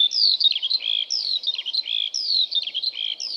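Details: Eurasian Skylark song from British fields, given while hovering high in the air: a lively, continuous run of quick warbled and whistled notes, with a similar phrase returning about once a second.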